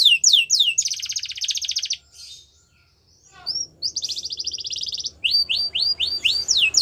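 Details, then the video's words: Yellow canary in the wild: falling whistles, then a buzzy roll. After a near-silent pause, another buzzy roll follows and ends in a string of bright, rising-then-falling sweeps. "Yellow canary Singing In The Wild"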